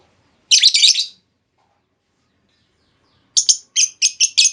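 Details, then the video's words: Female lovebird lure call used to prompt other lovebirds into long trilling: a harsh, buzzy chattering burst, then after a pause four short rapid shrill notes, all high-pitched, with a quiet background. "Pancingan Burung Lovebird Betina! Bakal Langsung Respon Lovebird Segala Kondisi Auto Ngekek Panjang"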